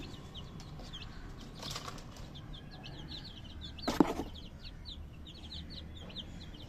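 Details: Chorus of baby chicken chicks giving thin, high, repeated peeps, broken by rustling bursts like flapping wings and a loud tap about two-thirds through.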